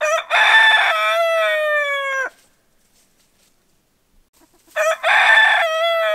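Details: Rooster crow used as a wake-up call: one full two-second crow with a clipped onset and long held descending note, then silence before another crow begins.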